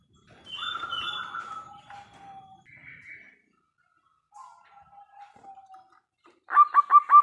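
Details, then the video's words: Local zebra dove in full song with a big voice, used as a lure to provoke other doves to answer; soft drawn notes and pauses, then a loud burst of quick stuttering coos ending the passage. "PERKUTUT LOKAL GACOR suara besar - MENGUNDANG BUNYI SEMUA JENIS BURUNG PERKUTUT (PASTI NYAUT)"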